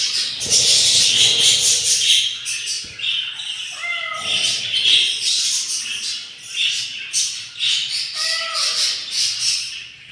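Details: Yellow budgerigars tend their nest on day 7 after four eggs hatched. The hungry chicks make harsh, scratchy begging bursts about twice a second, with a couple of brief tonal chirps from an adult.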